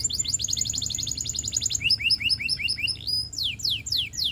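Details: Russian canary song: a very fast high trill, then doubled chirping notes, and finally loud sweeping downslurred whistles.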